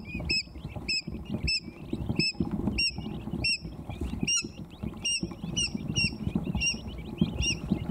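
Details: Quail chicks only a few hours old in a brooder, settling under a heat plate to rest after eating and drinking; repeated high, thin peeping calls, many overlapping, over a low rustling and rumbling background.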